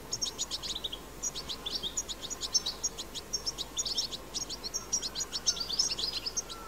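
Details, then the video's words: Wild goldfinch, recorded in the wild, pouring out continuous rapid twittering: bright high chirps mixed with short buzzy trills and thin whistled notes, steady over faint background hiss. "أقوى بتبتة حسون"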